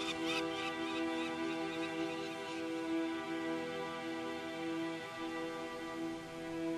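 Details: Sustained, soft instrumental music with steady held tones and a few brief brighter notes early on; no animal voice stands out.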